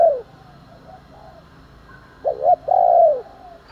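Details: A spotted dove's fight-provoking morning coo: the tail of one coo, a quiet pause, then a quick wavering double note leading into a long, deep, rounded coo.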